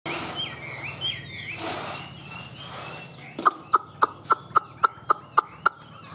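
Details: Caged Chinese hwamei, a tame bird kept in Vietnam: faint whistled notes, then a sharp run of nine clipped, evenly spaced notes about every quarter second, over a steady low hum.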